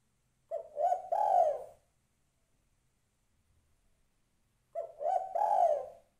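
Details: Female spotted dove calling for a male, giving two phrases of low mellow cooing, short notes building into a longer wavering coo, with roughly three seconds of clean silence between them.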